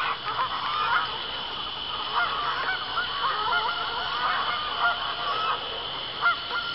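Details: Geese at a pond somewhere in Arkansas on an October evening around sundown, about 7:20 p.m., gray geese and others flying in to land; many overlapping nasal honks form a continuous chorus with steady background hiss.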